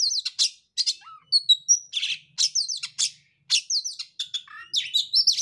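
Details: Oriental magpie-robin song used as a lure to provoke a silent or stressed bird into singing: varied high, sharp whistles, chirps and slurred notes in quick bursts separated by brief pauses.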